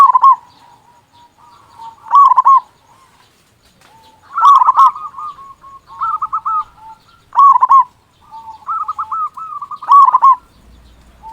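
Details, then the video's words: Zebra dove of local stock singing with a big voice to stir silent doves into song: repeated rolling, trilled coo phrases every couple of seconds, some followed by strings of short clipped notes. "Perkutut Lokal Gacor Suara Besar Pancingan Burung Perkutut Agar Cepat Bunyi."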